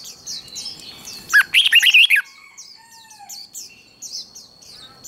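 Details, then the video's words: Red-whiskered bulbul contest-style song for training birds to sing in singing contests: one loud burst of quick, slurred, warbling notes near the middle, with soft high chirps from other birds and a steady thin high tone throughout. "Chào mào hót đấu"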